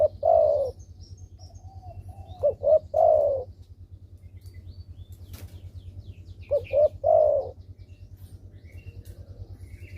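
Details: Spotted dove lure call meant to make lazy doves call: low cooing phrases, each a short pair of notes and then a longer coo, heard twice about four seconds apart over a steady low hum.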